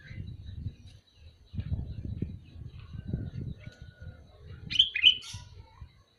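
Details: One short, warbling whistled phrase from a calling sooty-headed bulbul arrives late, set against a continuous low rumble of background sound.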